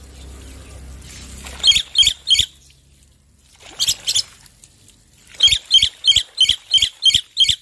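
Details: Male black-winged myna giving bursts of sharp, high, squeaky notes in short groups of three, then a longer evenly spaced series of about seven, separated by quiet pauses.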